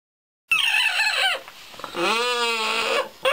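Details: A female pet parrot gives a falling, voice-like "yum" (her "Mmn" means she likes something, here a shower drain), then a longer, rich, nasal "haha" with a wavering tone, each under a second.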